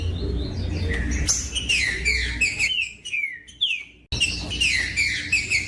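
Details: Green-winged saltator (trinca-ferro) song aimed at making other saltators sing: phrases of loud whistled, falling slurs, a brief gap, then more rapid whistles, with clicks and low hum behind.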